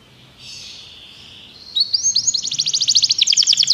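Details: Canary singing for song training: a faint hissy note opens, then from under two seconds a rapid, accelerating trill of bright, high, downward-sweeping notes builds in loudness to the end.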